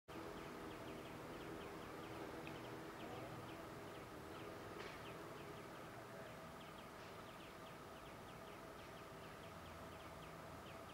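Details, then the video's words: A European greenfinch sings a long run of quick, chirping twitters, about four notes a second, over a steady low engine-like hum. "Viherpeippo laulaa"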